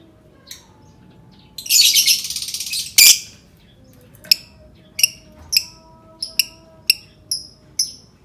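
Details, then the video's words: Lovebird, recorded to prompt other lovebirds to sing: a loud, scratchy burst of chatter, then sharp, high chirps repeated irregularly, each with a quick downward slur, over a faint background hum. "Suara burung lovebird cocok banget untuk pancing lovebird berbunyi"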